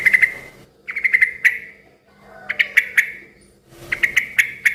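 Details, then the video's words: Yellow-vented bulbul in lively, noisy song said to make other bulbuls answer: bursts of sharp, bright chirps in quick clusters of three to five notes, separated by short pauses. "suara kicau trucukan gacor ribut yang satu ini suka bikin burung trucuk lain ikut NYAUT BUNYI RIBUT"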